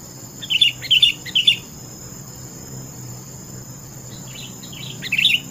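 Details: Sooty-headed bulbul delivering three bright burbling notes in quick succession, then a pause and a softer, fainter phrase ending in a louder note, against a continuous shrill background hum.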